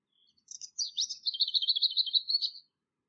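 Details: Lesser whitethroat (Curruca curruca) singing in Bydgoszcz, spring–summer 2023, filmed on a Lumix FZ82. Soft scratchy warbling notes build into a level, rapid rattle of repeated high notes of nearly two seconds. No other sounds.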